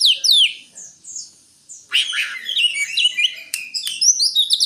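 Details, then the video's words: Greater green leafbird pouring out a dense, continuous chatter of high, squeaky slurred notes and clicks after a few clear descending whistles. "Suara burung Cucak Hijau"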